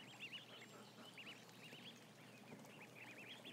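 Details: Around a thousand ducklings together; high wavering peeps repeat in short bursts, some trilled and wobbling in pitch, over constant low rumble and hiss.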